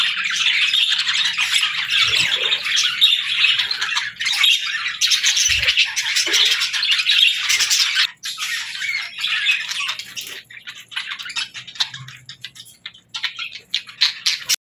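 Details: Pet parrot starting its day in the morning: busy high chirps mixed with harsh squawks, loud and steady at first, then thinning into scattered separate calls with short gaps toward the end.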